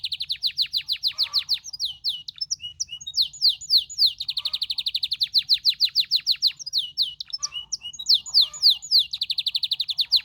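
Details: Singing canary delivering rapid runs of downward-sweeping high notes, repeated several times a second in rolling phrases, with short trills and chirps between them.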